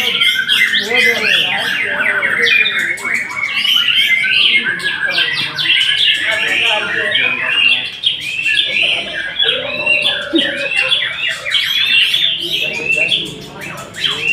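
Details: Long bout of white-rumped shama song, a dense flow of rapid chattering trills, whistles and mimicked notes, with brief dips before resuming strongly.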